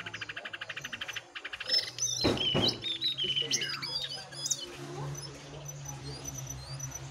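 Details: Jongkangan in a singing contest between a wild and a caged bird: a quick pulsed trill opens, then loud sharp notes and a tumbling mix of high whistles and chirps over a steady low hum.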